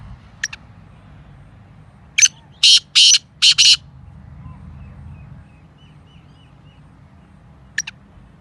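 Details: Kala teetar, the black francolin, gives a rapid harsh phrase of five rasping notes, the middle ones long and grating, preceded and followed by faint short clicks, with steady low rumble behind.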